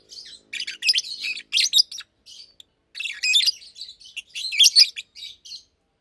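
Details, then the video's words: Pair of adult caged Fischer's lovebirds singing by day; two bouts of piercing, buzzy chirps separated by a pause of about a second, ending abruptly. "Lovebirds Chirping, Lovebirds Singing - Two Agapornis Fischeri"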